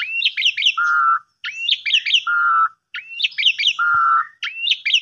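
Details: Asian pied starling in full song, played to coax silent or sulking birds: repeated phrases of an upswept whistle, a cluster of sharp descending notes and a drawn-out flat whistle, each about a second apart.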